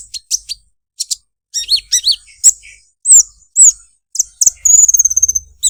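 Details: Olive-backed sunbird in melodious 'krecek krecek' song: sharp high chirps and slurred downward notes, ending in a thin, rapid trill held for about a second.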